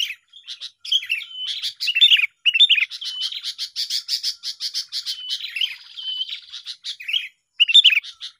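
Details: Lure song of sooty-headed bulbuls for trapping birds: a long, busy run of fast chirps and twittering warbles with a few slurred whistles, broken by brief gaps.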